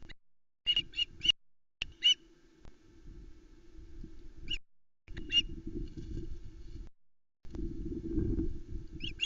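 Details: Osprey nest at Loch Arkaig on a July 2020 afternoon, chicks squabbling over a delivered trout. Short clusters of two or three shrill chirps scattered between stretches of rumbling wind noise and thumps.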